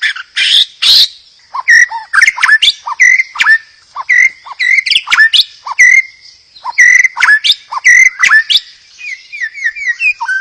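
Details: White-rumped shama delivering a varied song meant to get other shamas singing: a harsh opening burst, then repeated clear whistles mixed with quick downward sweeps and chips, and a descending series of short whistles at the close.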